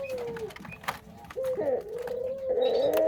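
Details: Parent breeding-stock Barbary dove cooing indoors: drawn-out tonal coos that dip and then level off, the later ones louder, with a few faint clicks and background rustle.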